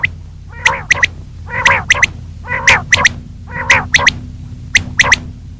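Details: Female common quail calling in the morning; loud raspy, harmonic bursts, each followed by two sharp clicks, repeated about once a second over a faint low hum.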